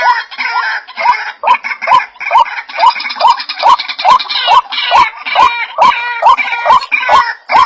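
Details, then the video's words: White-breasted waterhen call played as a lure to attract birds: rhythmic rising notes about twice a second beneath a busy layer of higher chattering and squealing calls, with sharp clicks between notes. "SUARA BURUNG RUAK2 TERBARU ‼️DIJAMIN PADA NGUMPUL‼️"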